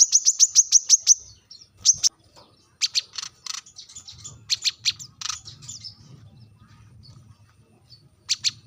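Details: Sharp rival-summoning call of a brown-throated sunbird: a quick string of seven high ticks, then scattered harsher chips and rough notes, with a faint low hum beneath.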